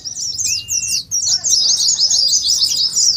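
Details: Fast ngeriwik song of Oriental white-eye for lure training and contest practice: one short steady whistle, a brief pause, then a dense run of shrill twittering chirps about three a second to the end.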